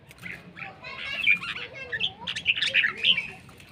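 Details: Red-whiskered bulbul from Laos, called handsome and fierce, pours out a busy run of chattering, bubbling notes that grow louder toward the end. A low steady hum sits underneath.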